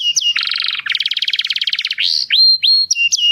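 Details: Canary singing to stimulate females for breeding: opens with a dense, rapid buzzy rattle lasting over a second, then breaks into clear rising whistled notes spaced apart.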